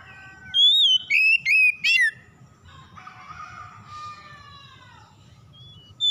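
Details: Oriental magpie-robin song played to goad other magpie-robins into singing: four emphatic whistled notes close together, then a long soft warbling phrase sliding downward, and one more loud whistle at the close, with a low hum behind.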